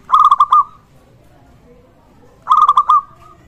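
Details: Local zebra dove in full voice, its call used to prompt other zebra doves to sing and raise their arousal: two short phrases of four or five quick, bubbling coo notes ending in a drawn-out tone, spaced about two seconds apart.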